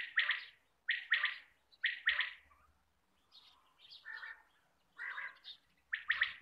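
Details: Quail sound for hunting lures: three loud raspy double notes in quick succession, then softer mixed chirps and lower grating calls before the rasping resumes.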